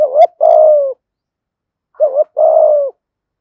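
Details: Decoy spotted dove in 'giọng thổ' song: a wavering two-note coo then a long even coo, the pair repeated after about two seconds, with a faint tap at the start; no other sounds.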